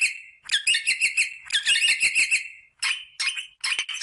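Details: Rosella calling to encourage mating: a dense run of rapid, rasping chatter for over two seconds, then three short separate squawky bursts after brief pauses.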